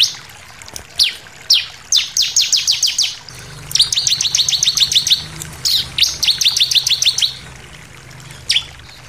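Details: Bar-winged prinia singing as a lure meant to stir other birds to sing: scattered sharp high chips build into quick runs of evenly repeated bright notes, over a faint low hum.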